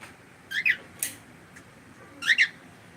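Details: Pet cockatiel repeating sharp double chirps, two paired notes, then a short click, then another paired chirp over about three seconds, in a quiet room.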